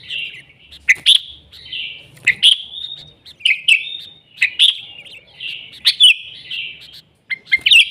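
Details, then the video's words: Wild sooty-headed bulbul in a lively 'gacor' song: a near-continuous string of bright chirps and short warbled phrases, irregularly spaced, with soft low noise behind. "Suara Burung Kutilang Gacor ASLI ALAM lanjut NGGARUDA"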